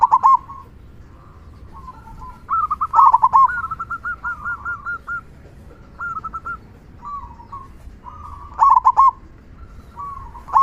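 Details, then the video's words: Perkutut, a local zebra dove, giving loud "kung" song to stimulate other doves; repeated phrases of rolling bubbling coos, some with strong accented opening notes, separated by short pauses. "Perkutut Lokal Gacor Suara Kung Besar Pancingan Burung Perkutut Agar Bunyi"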